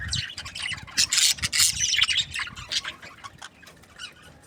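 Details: Budgies giving harsh high squawks and chirps, loudest in the first half, then fading into softer scattered chirping.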